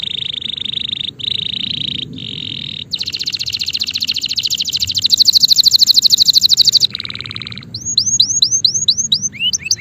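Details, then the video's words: Male canary singing: steady buzzy ringing notes broken by short pauses, then a long fast rolling trill that builds in volume, a harsh buzzy phrase, and quick upswept whistled notes at the end over low background noise. "#تغريد #يغرد#كناري#canari #canary#canario macho cantando"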